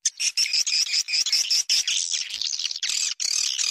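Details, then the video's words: Swiftlet call to attract swiftlets: a quick series of high whistled chirps, about one every fifth of a second, blending into a continuous shrill twittering chorus. "Suara panggil burung walet gratis"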